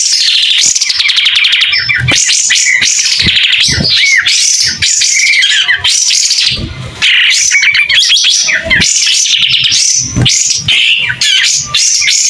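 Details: White-rumped shama singing steadily with its tail spread, a clear, loud stream of varied whistles, rising and falling sweeps and rapid chattering trills, with barely a pause over twelve seconds.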